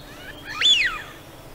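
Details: A Eurasian Wigeon from Central Russia gives one clear, high whistle lasting under half a second that rises sharply and then slides down, over a quiet background.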